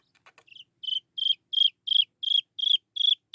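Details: A Chinese francolin chick peeps for its mother. After a few faint clicks, loud high notes, each dropping at the tail, repeat briskly about three times per second.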